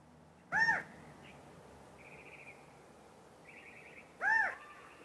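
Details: California quail, a species whose mating call is described, giving two loud, arched, nasal notes about four seconds apart, with faint high trills from other birds between them.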